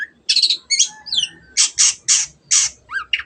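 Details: Long-tailed shrike (cendet) in 'gacor' song to provoke silent birds into song. Harsh, rasping broad squawks alternate with a few thin whistled slurs and rising chirps in a dense three-second burst.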